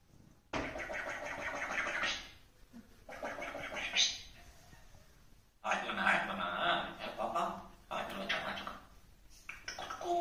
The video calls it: African grey parrot clear Talking in tamil